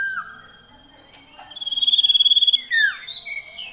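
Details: Lively common iora song with sirtu fills: a low slurred note, then a fast buzzy trill of about a dozen pulses on one pitch, ending in tumbling downward whistles.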